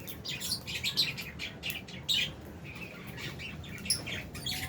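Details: Chattering flock of albino and Fisher's lovebirds kept in an aviary, producing rapid, irregular high-pitched chirps and squeaky tweets from several birds at once over a steady low hum.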